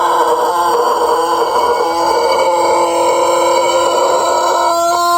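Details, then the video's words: Sustained crow of a Pelung chicken, an Indonesian breed from Cianjur kept as an ornamental bird, steady and harmonic throughout, with a slightly rough texture and a fresh onset just before the end. "Ayam Pelung Indonesia | Suara Kokok Panjang & Merdu yang Unik"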